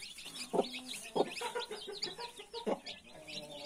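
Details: Hen guarding 31 freshly hatched chicks gives three low clucks with a short tonal note between them, while chicks keep up a high, busy peeping.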